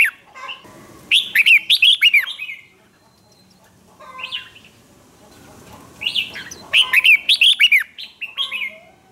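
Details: A red-whiskered bulbul performing provocative contest song for rival birds: two loud, fast bursts of rolling, swooping whistles several seconds apart, separated by quieter scattered notes.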